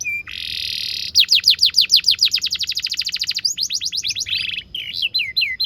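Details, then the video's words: Singing canary for tutoring young birds: a short note and a long buzzy roll, then a fast series of loud sweeping chirps about five per second, a rising whistle run and quick looping whistled phrases. "PANCINGAN KENARI GACOR DURASI PANJANG UNTUK MASTERAN KENARI PAUD BELAJAR BUNYI DAN GACOR"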